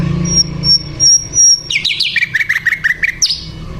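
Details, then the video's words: Flycatcher known locally as sikatan londo, singing vigorously: a thin, steady high whistle held for over a second, then a quick run of varied chirping notes sliding downward and repeating, ending with a sharp rising note, over a low steady hum. "sikatan Londo gacor"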